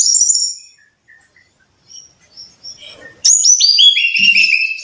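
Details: A brown-chested jungle flycatcher in song, used to prompt caged birds to sing: high trilled notes that fade into scattered soft chips, then a sudden loud cascade of descending whistled phrases.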